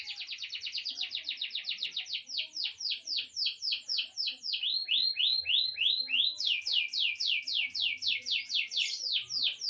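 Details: Grey songbird, young at eight months, pours out a long chain of rapid downslurred whistles. The tempo shifts from very fast to slightly slower, with a brief run of higher rising notes in the middle.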